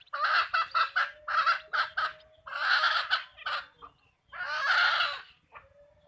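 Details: Hens on a backyard chicken farm cluck in loud bursts of rough, repeated notes, grouped into short volleys separated by gaps, with a faint steady tone running beneath.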